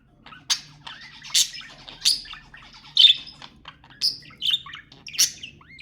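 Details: Budgerigars calling to encourage mating, with loud harsh squawks and chirps about once a second and soft chattering between them.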